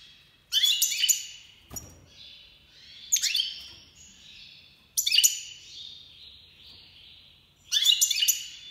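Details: Goldfinch of the Major (Iranian) form in breeding season, 2022: short bursts of bright twittering and tinkling notes with buzzy trills, phrases repeated every two seconds or so with pauses between.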